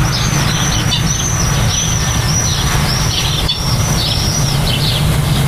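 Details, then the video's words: Common starlings at the nest during nesting and nest building: a steady series of high, arched whistled notes, several per second, over constant low rumbling background noise. "Stare (Sturnidae) beim Nisten/Nestbau"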